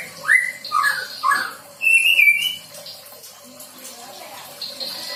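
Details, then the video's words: Young white-rumped shama learning fill-in song material: a few slurred, rising whistled notes, then a short buzzy high phrase, with softer warbling in the background. "MURAI BATU PASTOL GACOR BELAJAR BAWA MATERI"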